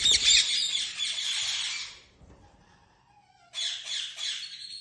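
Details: Lovebird giving a dense burst of shrill, scratchy chattering for about two seconds, then near quiet, then another harsh, high chattering outburst.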